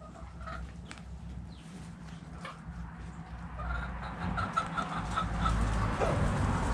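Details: Backyard chickens playing and dust bathing in the dirt, hens clucking: soft, low clucks that grow louder and more frequent toward the end, over rustling and a low rumbling background.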